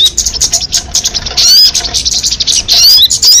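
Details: Crested jay giving dense, rapid, high-pitched chatter with a few thin upward-sliding whistles, almost continuous through the short stretch.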